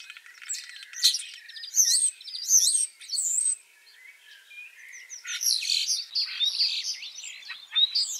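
A Common Starling sings a rambling, high jumble of clicks, squeaky chirps and slurred whistles in quick bursts, with a brief pause midway and no other sounds.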